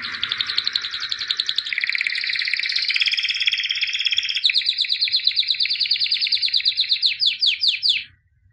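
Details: White albino canary in continuous song: eight seconds of dense, fast trilling that changes tempo several times, ending in a string of slower, distinct down-slurred chirps.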